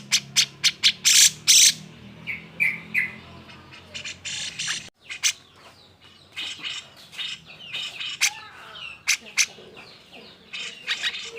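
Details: Grey-cheeked bulbul (cucak jenggot) in an agitated, excited song meant to provoke reluctant birds into singing: loud harsh rasping bursts, then scattered sharp high chips and short buzzy phrases, irregular and fading in strength.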